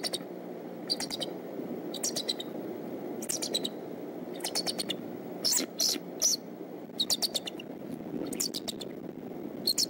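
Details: Morning at the Decorah bald eagle nest, 22 March 2014, father dropping in at 6:30 a.m.: repeated bursts of high, stuttering chitters every second or so across the whole stretch, over a low steady rumble.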